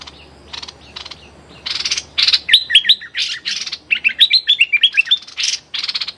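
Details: Streak-eared bulbul, a champion decoy bird, calling at a captive young female: harsh, rasping bursts mixed with quick, bubbly whistled notes in rapid runs, with a second bird answering close by.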